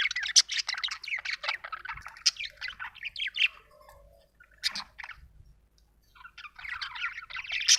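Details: Chattering budgerigar: fast scratchy chirps and warbles for about three seconds, a soft low note, near silence with a lone squeak, then the busy chirping resumes and grows louder.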